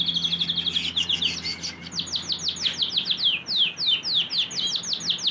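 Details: Domestic canary in full song: rapid series of bright, high, downward-sweeping whistled notes, repeated several times a second in shifting rolls and tours, loud and continuous, with a faint low hum underneath.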